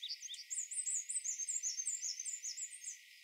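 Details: Black-and-white Warbler at Doodletown in migration, late season, singing an unusually complex, unvarying version of its squeaky two-element phrases, possibly a young bird; thin, very high, quick phrases, two or three per second; indigo bunting and gray catbird in background.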